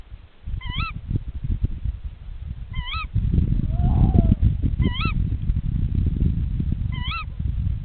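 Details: Tawny owl pair calling to each other at the nest while it is checked: four shrill ke-wick calls spaced about two seconds apart, a short quavering hoot between them, and strong low rumbling noise.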